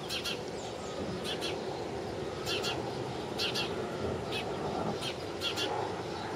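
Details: A sparrow calls with brisk clipped chips, usually doubled, spaced a second or so apart against a constant background drone.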